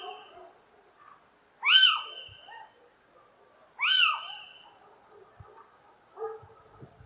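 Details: Little owl giving two loud, mewing, rising-then-falling calls about two seconds apart, each rich in harmonics, followed by a fainter similar note, over a quiet background with a few soft clicks.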